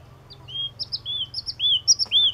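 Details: Yellow-cheeked tit giving a chain of sweet whistled notes, some short and paired, some longer and arched, with one sharp click near the end and a low hum underneath.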